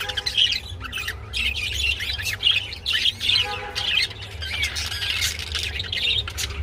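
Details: Budgerigars during mating give a busy chattering warble of chirps and squawks, dense and continuous, with frequent higher clicks and short harsh notes throughout; a low steady hum sits underneath.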